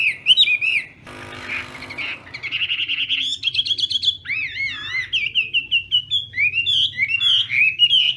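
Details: Contest singing by a Chinese hwamei practising its morning voice: varied whistled phrases with looping wavy notes, a brief harsh buzzy passage early on, then clear ringing slurs.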